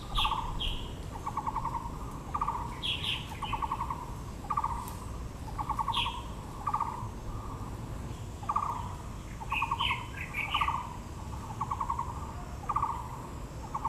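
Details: Long run of Taiwan blue magpie chatter in Yangming Park, Yangmingshan National Park, Taipei, among azaleas: rasping rattles repeated roughly every second, interspersed with higher squeaky notes and low rumbling ambience.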